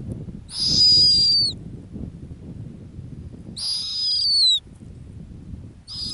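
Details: Nesting female snowy owl on the Arctic tundra, in a year with few lemmings, giving harsh, high, slightly falling screeching calls about a second long, repeated every three seconds, over a low wind rumble.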